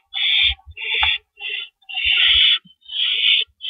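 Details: Owl at its nest before dawn on April 4, 2012, amid comings and goings with rabbits: raspy, hissing screeches of varied length, one long and drawn out, mixed with low thumps and rustling movement.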